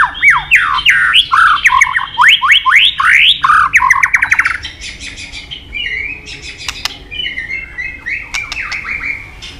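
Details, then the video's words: White-rumped shama training song with many forest voices: a rapid sequence of loud rising whistled sweeps for four seconds, then softer, more varied whistles and sharp clicks trailing off. "Luyện Nhiều giọng dài cho chòe lửa cực chất. chòe lửa kéo dây đảo nhiều giọng rừng. tạch đập đuôi"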